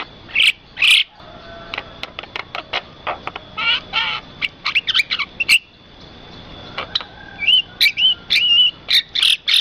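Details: Birds calling over rice fields: a busy series of short, sharp high chirps and clicks, with a few quick warbled upslurred whistles near the end and brief gaps of quiet between bursts.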